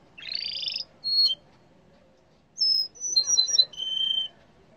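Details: Yellow canary song: a dense buzzy trill, a short whistle, then after a pause a quick series of high clear notes ending in a steady level whistle.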